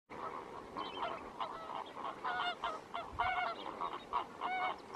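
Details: A mixed flamingo flock, mostly Lesser Flamingos with some Greater Flamingos, at Lake Natron, Tanzania, a vast, shallow natron lake and the Lesser Flamingos' breeding ground, keeps up a dense, goose-like honking chorus of overlapping nasal mid-pitched calls, nearly once a second.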